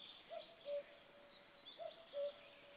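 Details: A common cuckoo, just returned in spring, gives its soft two-note 'cu-coo', the second note lower, twice about a second and a half apart, over a faint steady background hiss, on 4 May 2013 near a white-tailed eagle's nest.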